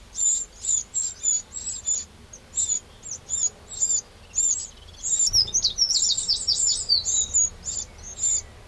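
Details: Eurasian wren calling in a garden in Burgundy's Châtillonnais, France, 2 June 2023: quick repeated high, sharp notes in runs, speeding into a denser chattering burst near the middle before settling back to spaced chirps.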